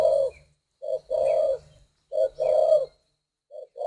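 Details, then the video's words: A spotted dove from northern Vietnam, "hoa mơ" type with a good voice, repeats deep, soft two-part coos, each a brief lead-in note followed by a drawn-out hollow note, with silent gaps between. "chim cu gáy HOA MƠ GIONG HAY miền bắc"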